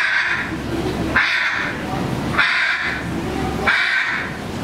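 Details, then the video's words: A blue macaw at the Vancouver Aquarium, Stanley Park, British Columbia, Canada, in September 2014 gives harsh, raspy squawks, four in a row about every 1.2 seconds, over a steady background hum. "Blue Macaw"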